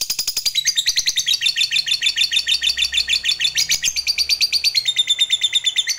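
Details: Fighter lovebird in continuous long ngekek, a rapid high chattering song meant to prompt other lovebirds to sing, with buzzy, scratchy notes pulsing about twice per second without pause and shifting in pitch now and then.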